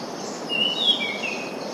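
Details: Orange-sided thrush song: a short phrase of thin, high whistled notes, the second sliding slightly lower, set against a steady hissing background.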